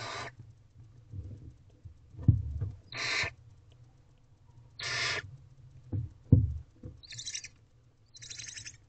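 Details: Barn owl owlets begging hungrily around their mother inside a nest box at 4:34 am, 20 April 2023; broad harsh screeching hisses repeated every couple of seconds, with thumps and a low hum.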